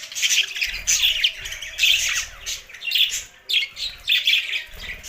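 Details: Budgerigars chirping in short bursts of high, scratchy, warbling notes, roughly one burst each second, with a faint low hum underneath.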